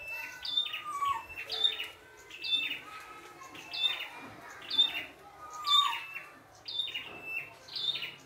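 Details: Red-headed prenjak calling freely in the wild, a busy run of sharp chips, thin whistles and squeaky notes in repeated phrases, each burst about a second apart.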